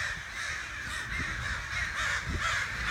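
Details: Crows caw just outside a back door, a quick train of harsh, nasal calls of even loudness repeated about twice a second.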